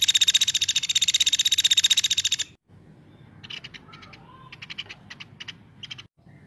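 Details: Actively calling woodpecker, used for tutoring magpie-robins; a dense, harsh rattle of rapid pulses lasts over two seconds, then scattered short chirps and a faint whistle follow.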